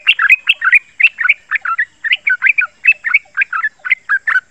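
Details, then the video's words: Young male sooty-headed bulbul, not yet a year old, calling in the rapid chattering 'ropel ngeriwik' style used as a lure for other males: bubbly, clipped two- and three-note phrases repeated quickly and evenly, with no other sounds. "Suara Panggilan Trucukan jantan Suara Pintar kesukaan trucuk Jantan Bahan Cocok buat Pancingan"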